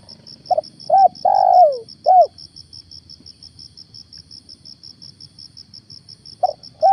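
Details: A caged spotted dove serving as a lure for catching wild doves gives one full phrase of four coos, the third long and descending, then silence before another phrase begins. Rapid high pulsing continues in the background.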